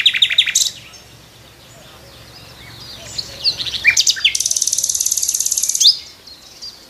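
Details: Nightingale singing on a tree in the morning: loud varied phrases, a fast stuttering series at the start, then a long rapid high buzzing trill, with background birds.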